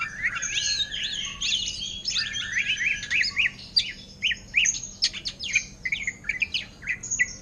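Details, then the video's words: Ngentrok song of a caged greater green leafbird for sale, copying orange-headed thrush style. Fast, looping whistled phrases, then crisp, repeated, sharply rising chirps. "Cucak Ijo Ngentrok Gaya Anis Merah"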